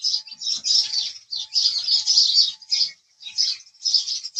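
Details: Chirping house sparrows, a busy run of sharp, squeaky chirps in clustered bursts with brief gaps, several voices overlapping, and a faint low hum in the background.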